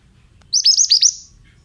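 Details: Single brief pied bushchat song phrase, used as therapy for untrained birds: five or so fast, clear, high notes, each dropping sharply in pitch, over a soft low hum.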